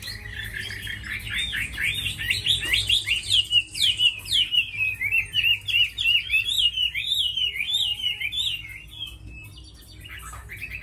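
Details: Tame Chinese hwamei, a fighting bird kept for its good singing, delivering loud, rich whistled phrases in rapid, varied bursts that rise and fall, slurred notes running together for about eight seconds before quieter, scattered notes at the end.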